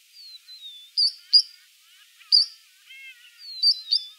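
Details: Three-banded plover (Charadrius tricollaris) at Sunset Dam, Kruger, gives thin high whistles, some sliding downward, mixed with sharp piping notes roughly every second; a softer, lower warble is heard briefly.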